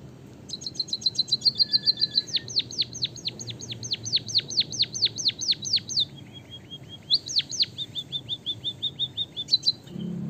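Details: White-headed munia from Java in lively song, filled with learned canary phrases and long rolls, meant to tutor other birds. A fast high trill leads into a long series of sharp, whistled downslurred notes, then more trills.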